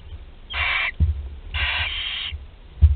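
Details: Barn owl nestlings, one 13 days old swallowing prey whole, at Théding, France, on 20 July 2020; two long wheezy hissing screeches, the second nearly a second long, with thumps and low rumble beneath.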